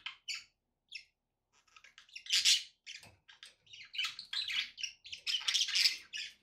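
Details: Budgerigar chatter: quick high chirps at first, building into loud, scratchy warbling and squeaky notes that run together toward the end.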